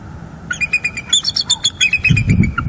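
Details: Two adult bald eagles back at a Northeast Florida nest after a juvenile visitor left, calling together, perhaps to reaffirm their territory. Quick, staccato high-pitched chattering notes repeat several times a second, over a low background rumble.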